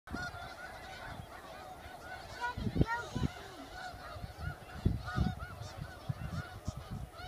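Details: A large flock of snow geese in a wheat field in Arkansas in February gives a constant, overlapping chorus of high, nasal, barking honks, with low wind rumble and occasional thumps underneath.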